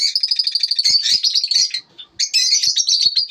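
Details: Lovebirds chattering in the morning, steady high pulsed chirps that turn harsher and scratchier, a short silence, then renewed bright rapid twittering.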